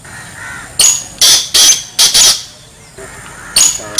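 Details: Black francolin (kala teetar) calling: loud, harsh, rasping bursts grouped in twos and threes, one short note followed by paired grating notes, repeated over a few seconds against a quiet background hiss.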